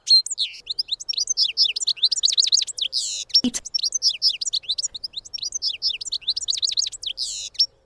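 A European goldfinch sings a fast, liquid twittering of tinkling notes and buzzy trills, high-pitched and continuous, with a brief click midway.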